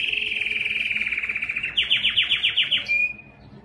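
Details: Loud breeding song of a Belgian canary meant to attract females: a fast even trill that slows into about eight distinct down-slurred pulses, then a short clear whistle that fades.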